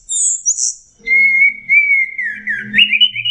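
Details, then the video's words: Orange-headed thrush singing as a lure to coax a stressed, silent bird: a high fluttering trill, then a long drawn whistle that wavers and dips before rising again, with a soft low hum beneath. "pancingan Anis merah setres dan macet bunyi"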